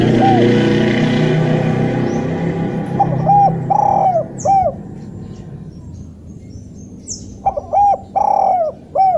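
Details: Loud, sharp, wild-sounding spotted dove call meant to prompt lazy doves to call: after a stretch of heavy rumbling noise, short arched coos come in pairs and groups, with the longer held note returning near the end.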